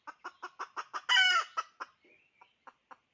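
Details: A decoy hen's rapid clucks build into one drawn-out raspy squawk, after which a few softer, sparser clucks follow.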